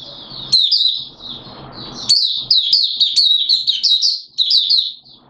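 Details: Malaysian Oriental white-eye singing 'buka sing' in Singapore, 29 March 2023, warm humid weather with showers: bright continuous twittering of quick high slurred notes, background hum early on.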